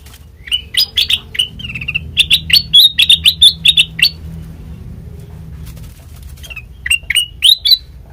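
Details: Lure song of the sooty-headed bulbul, played to make raw, untrained birds respond: rapid clusters of crisp, up-slurred chirps, a silent gap of about two seconds, then a few more bright notes.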